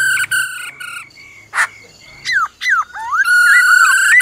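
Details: Forest-voice song of a black-throated laughingthrush joined by the female's trilling: rolled harmonic notes, a sharp click, drooping and swooping whistles, then a rising sustained ringing phrase.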